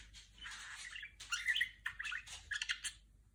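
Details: Female pet budgerigar imitating R2-D2, noisy buzzy chatter with a few clear whistled notes and hoarse grating phrases in quick succession, quiet room.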